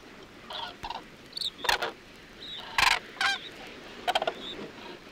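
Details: At Matsalu, a Common Crane gives loud, brassy trumpeting notes, some doubled, in scattered short bursts separated by brief pauses. The background is otherwise quiet. From a 1979 field recording album.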